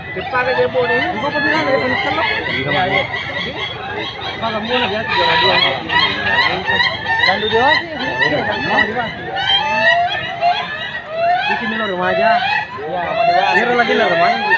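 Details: Ayam ketawa, the laughing chicken of South Sulawesi, Indonesia, crowing at a contest judged on how often and how long the birds crow; many overlapping cackling, laugh-like rhythmic crows with rising and falling tones, crowd chatter behind.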